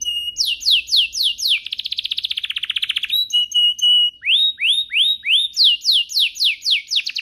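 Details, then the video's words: Canary singing to prompt other canaries to sing: repeated rising whistled sweeps, a rapid buzzy trill, steady held whistles, then a long series of upswept notes repeated about four times a second. "Pancingan ini Berhasil pancing kenari manapun jadi ikut GACOR, Pancingan kenari biar gacor"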